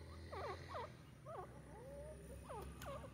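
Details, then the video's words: Black francolin calling: short clusters of harsh, sharply down-slurred notes, two or three in quick succession, repeated after brief pauses, over a low steady rural hum. "Dakni teetar irani teetar ki awaz"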